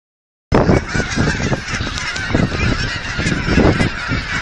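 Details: A huge flock of geese, by the thousands, being fed by visitors at an aquatic center in Hereford, Texas; dense overlapping honks form a continuous clamor after half a second of silence, with low rumbling handling noise underneath.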